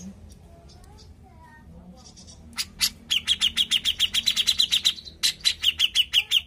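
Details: Lure song of a vigorously singing grey-cheeked bulbul: faint soft notes at first, then a rapid, loud series of high sharp chirps, briefly pausing before resuming.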